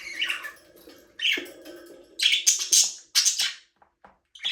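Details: Pet budgerigars in a small aviary give buzzy warbles and sharp high chirps in repeated bursts, with a low droning hum underneath the first half.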